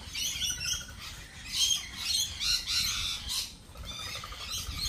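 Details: Lorikeets at a lorikeet cafe chatter together in harsh, high, screechy squawks, overlapping in a steady noisy flock chorus throughout.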